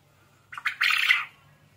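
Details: Lively quail giving a grating, squawking call: two short rasping notes, then a sustained harsh burst of roughly half a second, over a low background hum.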